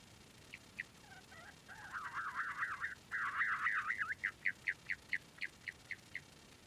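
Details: Quail at a distance: a few sharp notes, then wavering, warbling calls rising and falling, followed by a regular series of short clipped notes about every quarter second.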